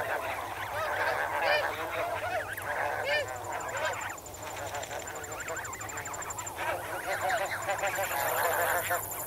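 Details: Snow geese in a large flock, swimming and wading in water, recorded close: a dense chorus of rapid overlapping honks and yelps, a high insect chirping pulse and a low hum beneath.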